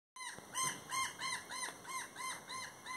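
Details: Brown jay (Psilorhinus morio), seen flying and calling, gives loud, harsh, nasal cries with a rise-and-fall shape, repeated rapidly, about eight in three seconds.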